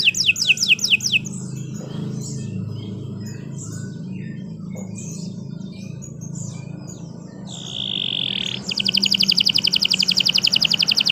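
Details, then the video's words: Canary song meant as a master tutor for other birds: a brief opening trill, scattered soft chirps, a steady held whistle, then a fast, even, high trill to the finish. "Kicau Burung Kenari 165 II LUAR BIASA GACOR PANJANG Cocok untuk Masteran"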